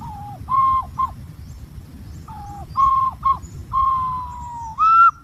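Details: Green pigeon calling with mellow, flute-like whistles. Short notes dip at their ends in two spaced bursts, then a long gently falling note leads into a higher, brighter whistle. A low hum runs underneath.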